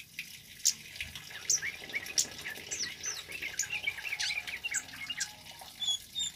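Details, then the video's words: Male flowerpecker (kemade) singing loudly and persistently, recorded as a lure and tutor for training birds: thin, very high twittering notes and quick up-slurred chirps in a busy run, overlapping ticks, over a steady hissing, water-like background. "SUARA BURUNG KEMADE CABE CABEAN BUNGA API GACOR LANTANG COCOK BUAT PANCINGAN DAN MASTERAN"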